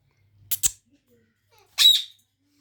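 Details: Indoor pet Indian ringneck parrot giving two sharp clicks followed by one short, loud, rasping squawk after a pause.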